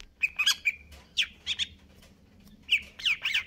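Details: Greater green leafbird kept caged and in stable condition, delivering a rapid aggressive song of short harsh chattered notes and buzzy whistles in quick clusters with brief pauses.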